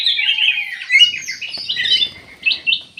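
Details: Black-capped bulbul delivering a rapid, slurred warble of bright notes that sweep up and down, ending in two short emphatic chirps.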